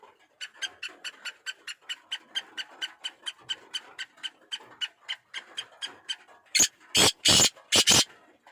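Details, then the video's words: A steady run of quick, sharp ticking notes, about two per second, lasts some six seconds. Then a black francolin (kala teetar) bursts into its loud harsh phrase of four grating notes. "Pure laka kala teetar ki awaz"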